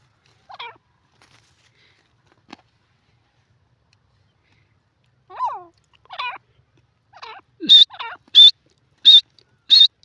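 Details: Francolin calling after a quiet start: a few softer rasping notes, then loud, clear whistled notes repeated roughly every two-thirds of a second near the end.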